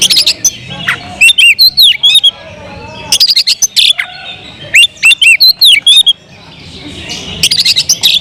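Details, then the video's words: Caged Oriental magpie-robin in full song, alternating loud scratchy buzzes with clear curving whistles in bursts about every one to two seconds, short quiet pauses between phrases. "suara kicau burung Kacer"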